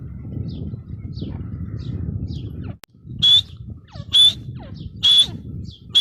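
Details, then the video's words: Faint scattered notes over low rumble give way to a female grey francolin's loud, clear, whistled calls, repeated three or four times at near one-second intervals. "Teetar ki awaz | gray francolin teetar sound | female teetar voice"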